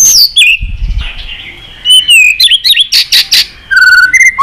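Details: Excited white-rumped shama singing many-voiced song with tail flicking: clear whistled notes, sweeping slurs, harsh bursts and a short rapid ringing trill ending in a rising whistle.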